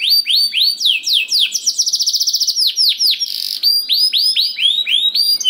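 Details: Canary song meant to draw other canaries into singing, with looping high whistled notes, a fast rolling trill in the middle, then renewed rising-falling whistles repeated about four per second.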